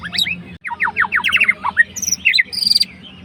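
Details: White-rumped shama, a fighter bird, singing to provoke a rival and stir a reluctant bird into song: a fast run of rising whistled notes, then sharp buzzy chips and bright high slurred phrases, with a low steady hum underneath.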